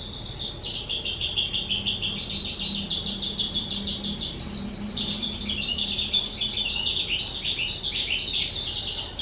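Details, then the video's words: A two-year-old pet skylark sings on 18 April 2023, an unbroken stream of fast, high, chattering and twittering notes that rises and falls, with a faint low hum beneath. "Chim Sơn Ca 2 Tuổi"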